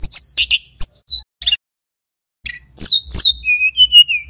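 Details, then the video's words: Mountain tailorbird, a male from Banyuwangi, singing in bursts of sharp high chips and brief whistles. A second-long silence follows, then a run of clear, gently falling whistled notes. "Suara Tledekan Gunung (SULGUN) jantan GACOR"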